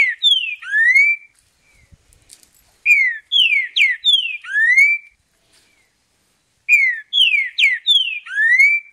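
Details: In the wild, a green-winged saltator sings loud, rich whistled phrases of four or five slurred notes, each phrase about two seconds long, repeated every few seconds.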